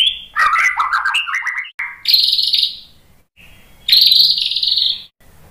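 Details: Song of a white-rumped shama meant to stimulate other shamas to sing, mixing rapid chattering notes with long, bright, sustained high whistles in separate phrases.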